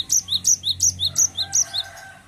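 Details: Energetic rolling song of a Cinereous tit, steady paired whistles, high then lower, repeated about five times in two seconds, with a faint background tone.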